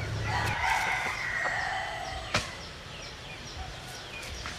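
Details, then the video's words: Bantam rooster, a Jap Cuban cross from a Japanese bantam hen and a Cuban father, gives a fairly faint, drawn-out crow of layered tones lasting about two seconds, followed by a sharp click and soft background noise. "Gà Tre Jap Cuban Tiếng Gáy Rất Sung"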